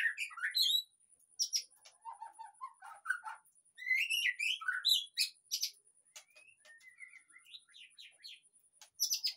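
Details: Lure song of white-rumped shama for a caged bird that is off song; varied whistles, buzzy high strokes and lower warbled notes, loud opening phrases giving way to softer twittering near the end.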